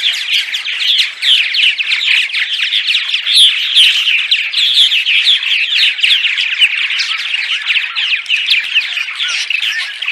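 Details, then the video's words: Dawn song of purple martins, played before sunrise to attract returning martins to nest sites. Unbroken, crowded gurgling and creaky chirps from several birds, steady in loudness for the whole stretch. "Dawn Song CD - Purple Martins"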